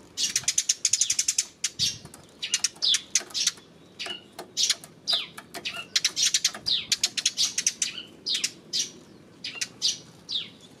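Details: Sparrows on 28 May calling in quick bursts of sharp, high chirps, short downslurred notes repeated in irregular clusters with brief pauses between groups.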